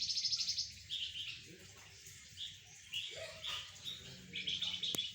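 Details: Spirited song of a golden-bellied gerygone being sunned alongside spotted doves and zebra doves; high chattering notes and short trills come in uneven bursts, with a sharp click near the end and soft lower sounds beneath.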